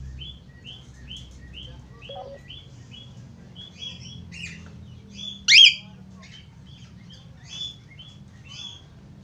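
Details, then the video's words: Australian finch singing busily: a long series of short, high chirps at a quick, uneven pace, with one sharp, louder call midway and a faint low hum underneath. "Burung falk australia gacor"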